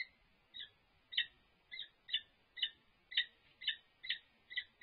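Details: Courtship display by the resident wild Peregrine falcon pair at UC Berkeley, California, March 21, 2022, livestream recording. Fainter rasping notes repeat about twice a second over a steady background hiss.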